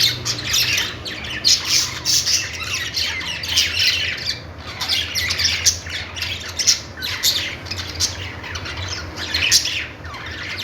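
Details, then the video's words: Budgerigars, Australian parrots, making a happy chirping sound: dense, continuous high chattering of rapid squeaky chirps and warbles with sharper squawks mixed in, over a steady low background hum. "budgies birds noises | parakeet chirping sounds"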